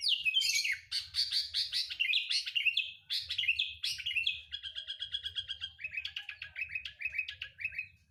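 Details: Lure recording of sooty-headed bulbul song meant to get kept birds singing. Loud, varied whistled phrases break into a fast stuttering trill, then bouncy repeated slurred notes, with a faint low hum behind.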